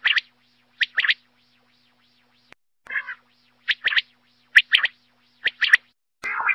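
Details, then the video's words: Quail in Pakistan, recorded as a hunting call, gives sharp, clipped notes in quick pairs and triplets, the bursts coming roughly a second apart over a faint steady low hum. "batair ki awaz ll Quail singing"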